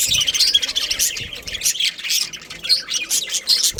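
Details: Budgerigar family, a breeding pair, chattering steadily: rasping, twittering warbles and thin squeaky chirps run together without break, busy and high-pitched throughout.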